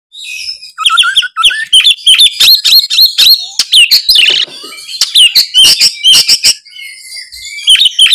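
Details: Oriental magpie-robin singing actively in the loud, clear ngeplong style: a rapid run of sharp whistled notes and chirps, some low rising whistles early, then dense bright phrases with brief pauses between bursts.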